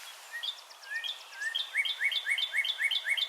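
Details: Northern cardinal (Cardinalis cardinalis) sings its "birdie, birdie" song, a fast series of clear, downslurred whistles about four per second, after softer high chirps; this song claims territory and tells other cardinals to back off.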